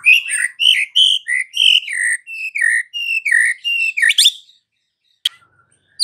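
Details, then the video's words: Afternoon lure song of a white-rumped shama, meant to set a mute bird singing: a steady run of bright, slurred whistles, then a sharp upward sweep and near silence with a few clicks. "PANCINGAN Murai Batu SORE hari , langsung bikin Murai Batu bisu AUTO NGAMUK"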